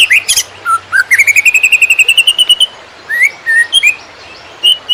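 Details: Konslet-style song of a greater green leafbird for tutoring other birds: a long run of quick, evenly repeated rising whistles climbing gradually in pitch, then scattered slurred whistles, with sharp high ticks above.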